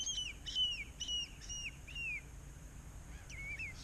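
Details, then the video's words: Common redshank calling at sunrise on calm West Kirby Marine Lake on the English coast, fairly close: a run of clear, down-slurred piping whistles, about two per second, then a pause and a final pair, over light background noise. "One of my favourite sounds, just a redshank calling."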